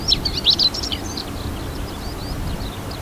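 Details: A male chestnut-eared bunting (Emberiza fucata) sings from a reed-head top in coastal grassland breeding ground, Ota River, Hiroshima, 8 June 2020: quick jumbled high scratchy chirps trailing into faint notes over low rumble; skylarks and zitting cisticolas may be heard.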